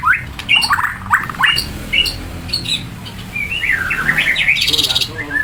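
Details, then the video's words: Warbling song of a white-rumped shama: short whistled phrases, then a looping series of up-and-down notes and a brief burst of high rapid notes, with background noise. "Saura merdu kicau burung murai"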